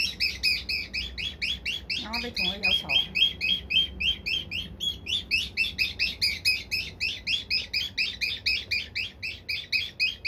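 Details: Elderly pet cockatiel, said to be 77 in human years, singing at a box it hates, recorded October 2, 2021: rapid chattering harmonic notes, about four per second, steady and repeated throughout, with a brief lower warbling sweep near the start.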